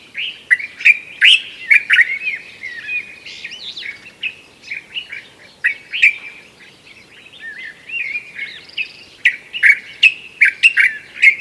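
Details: Pre-dawn chorus of loud, raucous Common Bulbuls in a Sous Valley garden, Morocco: a steady stream of overlapping warbled, chattering phrases punctuated by bursts of sharp emphatic notes, with a brief lull midway.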